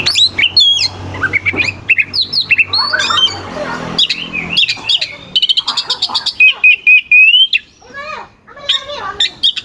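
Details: Oriental magpie-robin (kacer) singing hard and fast as a lure to provoke rival birds, with rough, sharp phrases. Whistled notes rise and fall, mixed with buzzy rasps and chattery bursts. A low hum runs underneath.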